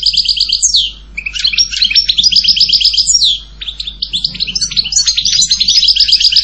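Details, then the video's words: Goldfinch song in three bursts separated by short pauses: repeated ringing chirps, buzzy trills and rapid tinkling twitters, with a slurred descending note in the first second. "Canto jilguero Goldfinch song"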